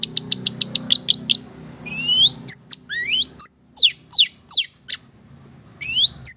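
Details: Energetic Long-tailed Shrike song, Madura type, for prompting other birds: opens with a fast series of short sharp whistles, then paired rising sweeps and steep falling whistled notes with pauses.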